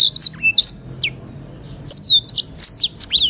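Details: Clear-voiced sanger bird from Africa, related to the canary, in a training song: separate sharp chirps, then a drawn-out level whistle and quick looping warbled notes, over a soft low hum.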